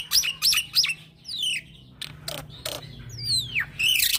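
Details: Young black-winged myna singing a continuous, rolling song, recorded as a lure for training other birds: quick upswept whistles, then descending slurred whistles broken by harsh rasping bursts, ending in a fast whistled flourish.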